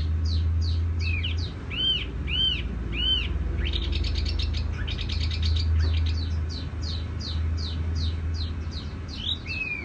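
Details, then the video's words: Songbird (tiểu mi) delivers a lively run of high, arched whistles and quick slurred notes, about four a second, with a soft resonant tone over a steady low hum. "Chim tiểu mi hót tiếng vang dịu"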